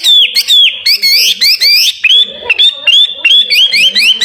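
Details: Caged contest songbird sounding strident, rising whistled notes first, then a regular string of clear, slightly falling whistles with short gaps between them.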